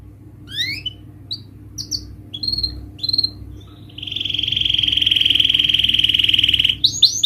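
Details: Canary lure song aimed at reluctant or stressed canaries: sparse separate chirps and short whistles, then a sustained, even, buzzing trill lasting nearly three seconds before the chirps resume.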